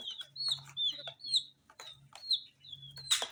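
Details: Tiny coloured chicks eating spicy Sun Poppers utter clear high, thin peeps sliding downward in short bursts, with pauses, pecking clicks and a loud crunchy rustle at the end.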